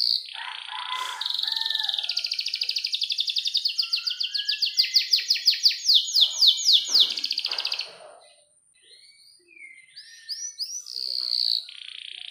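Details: Canary singing a long, clear rolled song meant to coax young or silent canaries: a rapid pulsed trill rolling on for about six seconds, a brief pause, then sharper twittering phrases.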